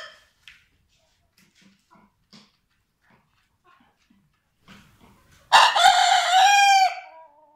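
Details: Vorwerk chickens, a German breed, rooster and hens: soft scattered clucks, then one loud, harsh, harmonic-rich crow lasting under two seconds that ends on a falling, drawn-out note.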